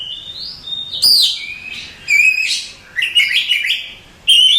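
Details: Oriental magpie-robin, a contest champion, singing whistled notes, sharp descending strokes and scratchy trills in varied, loud phrases.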